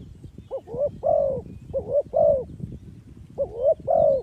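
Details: Spotted dove calling, used as a lure for trapping birds; three phrases of short rising coos leading into a longer drawn-out coo, all low and mellow, over a rustling low background.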